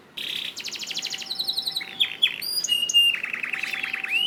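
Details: Canary song for training cage canaries: a buzzy opening, rapid rattling trills, brief chips, then a long rolling wavering trill ending on a rising whistle.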